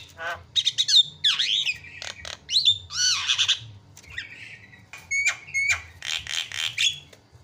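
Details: Javan myna recording meant to provoke other birds into calling: grating squawks, long scratchy rasps, slurred whistles and short clipped chips in an uneven, noisy jumble, with a soft low hum underneath.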